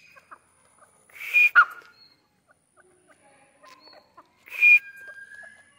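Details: Two loud, rasping Grey francolin calls about three seconds apart, each followed by a short thinner note, from a bird being trained, with faint ticks in between.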